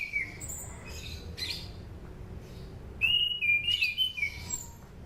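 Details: Lure song of a Sunda pied fantail for training birds: a brief whistle at the start, then after a pause a longer run of clear whistled notes wavering up and down before falling away.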